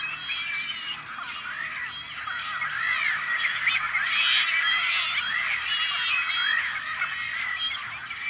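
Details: Nesting Tricolored Blackbirds on a Central Valley farm in California, May 2012: a dense, continuous chorus of many overlapping harsh, nasal, twangy calls and rasping notes that blend into a steady clamor with no pauses.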